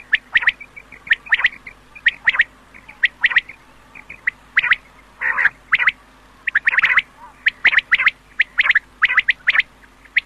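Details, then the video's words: Quail calling in a 2007 recording meant for use at night: a busy series of sharp, clipped notes in rapid pairs and triplets, repeated throughout with brief harsher bursts, the background otherwise quiet. "Batair k Awaz Raat K Ley Batair ki Old Awaz 2007 || Quail Sund 2007|| Night k Ley"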